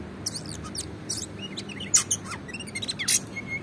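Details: Oriental magpie-robin in full, vigorous song, played to make other magpie-robins start singing; quick scattered chirps, whistles and sharp high notes over steady background noise.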